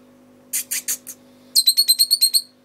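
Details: Lovebird singing indoors: four high, scratchy chirps, then a quick run of about eight sharp repeated tweets, over a steady low electrical hum.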